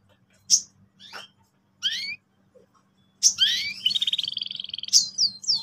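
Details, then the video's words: Lure song of a canary meant to get young birds rolling: scattered sharp chips and sweeping notes, then a sustained bright trill with upward slurs that ends in high whistled phrases. "PANCINGAN BURUNG KENARI GACOR EFISIEN AGAR PAUD CEPAT NGEROL TAJAM & PECAH SUARA"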